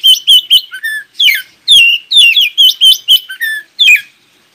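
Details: Oriental magpie-robin song meant to make other magpie-robins reply: loud, fast series of sharp whistled notes, mostly falling slurs, a couple of lower flat whistles, roughly a dozen notes in quick irregular succession.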